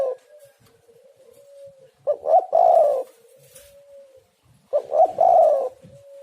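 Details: Spotted dove cooing, used as a lure sound to stir other doves into calling: two bursts of low, husky, bubbling coos a few seconds apart, with a faint steady drone in between.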